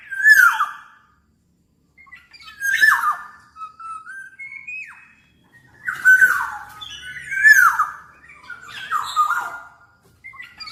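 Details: Black-naped oriole, described as singing nonstop, repeating loud rasping downslurred calls interleaved with clear fluty whistles, in several bursts with short pauses.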